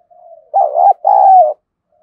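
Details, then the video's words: Spotted dove used as a decoy to provoke wild doves, with a harsh, scolding "thổ"-style voice: a soft lead-in hoot, then two loud, throaty, slightly wavering coos in quick succession. "Chim Cu Mồi Kích bổi giọng gắt gỏng như chửi bổi vậy, bổi nào nghe cũng ghét"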